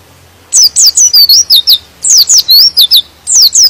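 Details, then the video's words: White-eye (pleci) song meant to provoke rival white-eyes into singing: after a half-second hush, three runs of quick, piercing slurred whistles, each note swooping down or up, with brief breaks between runs. "Suara Pleci ini bikin Pleci Lain Emosi dan ikut Gacor"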